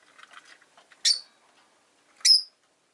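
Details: ['Caged rosy-faced lovebirds, five birds near a window, give two sharp, piercing shrill chirps a little over a second apart after a stretch of quiet, murmuring chatter.']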